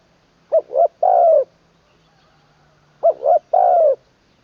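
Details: Spotted dove decoy bird in its third training session, singing the 'long kuk wai' style in a full middle voice. Two identical cooing phrases about two and a half seconds apart. Each phrase is a short double coo and then a drawn-out falling note. A faint low hum runs underneath.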